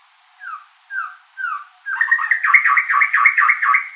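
A white-rumped shama gives three down-slurred whistles about half a second apart, then bursts into a rich, rapid warbling phrase, over a steady high insect hiss.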